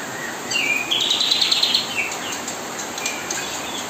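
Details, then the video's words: Kapas tembak singing continuously to tutor murai batu fledglings as they are fed; a dense warbling phrase of high chirps, then scattered thinner notes against a steady hiss. "kapas tembak gacor nonstop menemani"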